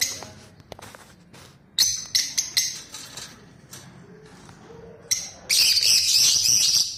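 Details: Lutino lovebirds in a colony give scattered sharp, high chirps at first, then break into a loud, dense, continuous squealing chatter over the last two seconds; faint low background hum.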